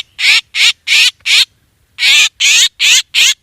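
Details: Hunting lure of black drongo calls, two bursts of coarse, buzzy squawks, four then five notes, separated by a half-second pause, loud and close.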